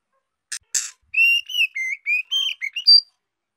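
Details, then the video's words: ['Singing young female white-rumped shama, meant to stimulate males: two brief harsh notes lead into a smooth phrase of about eight whistled notes, some rising, ending on a high, pure note.'] "Tiếng chòe lửa mái non hót kích trống hiệu quả"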